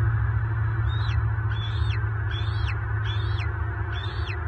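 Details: Adult bald eagle call during a talon-locking fight with an intruder at a Southwest Florida nest, March 2023: five evenly spaced high, thin whistles, each climbing then falling off, backed by steady low noise.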